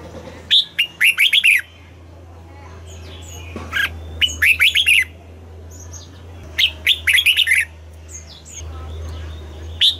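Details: Red-whiskered bulbul in morning song, double-note wild style: four rapid phrases of bright warbling whistles, repeated about every two to three seconds, with short single chirps between them.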